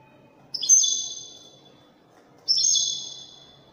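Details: Widani-style singing by a European goldfinch from Morocco: two separate high, sweet drawn notes, each starting sharply and fading slowly, about two seconds apart.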